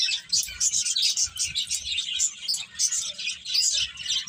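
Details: Dense high twittering from a group of birds, quick sharp tweets pulsing in bursts about every half second, with faint low rumbling underneath.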